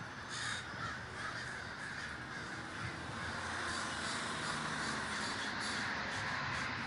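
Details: Many crows gathered together in Davis, California, calling constantly; hoarse caws overlap into a thick wall of sound that swells slightly toward the end, over a low background hum.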